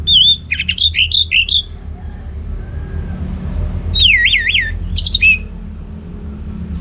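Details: Orange-headed thrush singing in the loud ngeplong style: two bursts of clear, warbling whistled phrases that loop up and down, the first a quick run of four notes, the second a rolling trill ending in a sharp note, over a low rumbling background.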